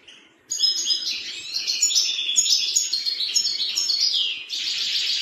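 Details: Farfar, the European serin or ver ver, sings a continuous high, tinkling and buzzy jingle of rapid chirps and short trills, finishing on a harsh sizzling phrase after a quiet opening.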